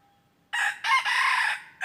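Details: Red junglefowl crow recorded on 23 January 2022 during decoy trapping of wild birds: a loud, hoarse multi-part call, two quick opening syllables and a long rasping drawn-out ending, with another crow starting at the close.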